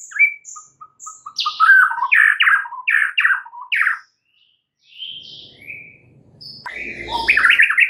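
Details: White-rumped shama singing in the morning: a few soft whistles and pips, then loud repeated downslurred chattering phrases, a pause with low background rumble, and a fast high trilling run at the end.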